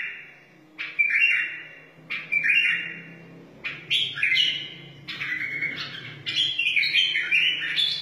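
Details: Wild white-eared bulbul song for teaching chicks and encouraging other bulbuls: separate warbled phrases with sharp starts every second or so, growing into a busier chattering run, over a low steady hum.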